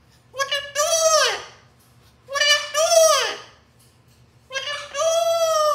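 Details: Amazon parrot kept as a pet, crying out of jealousy over attention given to another parrot: three loud, tonal wails, each swelling and then sliding down, spaced roughly two seconds apart.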